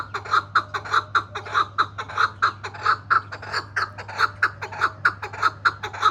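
A chukar partridge gives a fast, steady run of hoarse, clucking chuk notes, about four or five a second, over a faint low hum.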